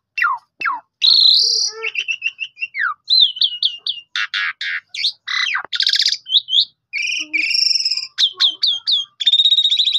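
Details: Asian pied starling kept caged and recorded by phone to get other starlings singing: a long varied stream of sharp chirps, buzzy bursts, rattling trills and slurred whistles with short pauses between phrases.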